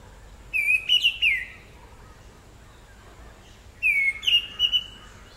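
An Orange-headed Thrush gives two brief, clear whistled phrases about three seconds apart, each mixing sliding mid-pitched whistles with thin, high, sharp notes, over a quiet background.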